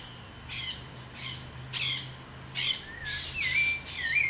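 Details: Rufous hornero adult feeding its young in the breeding season, giving bright, high chirps and short whistled notes about one every half second, with a faint low hum behind.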